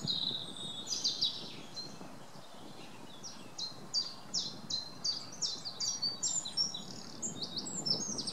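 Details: A wren sings a long, loud, high-pitched song made of rapid repeated chipping notes, fast trills and bright twittering runs that continue almost without pause, over low rumbling outdoor background noise.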